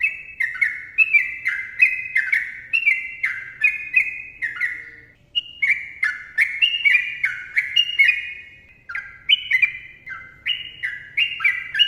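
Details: Long ropel song of a sooty-headed bulbul, known locally as trucukan. Fluid, bubbly notes fall in repeated couplets, with a short gap midway before the rapid phrases resume.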